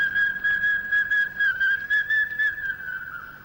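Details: Two Large Hawk-Cuckoos vying with each other in pitch darkness deep in Malayan highland jungle, late 1950s–early 1960s, giving loud, clear whistled notes about two per second at a steady high pitch, swelling slightly before easing off, over faint hiss.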